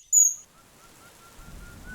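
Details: An Oriental dwarf kingfisher in the Western Ghats forest of India during the monsoon breeding season, when pairs chase each other and call, gives a single sharp, very high, shrill squeak. A faint steady tone and soft forest rustle follow.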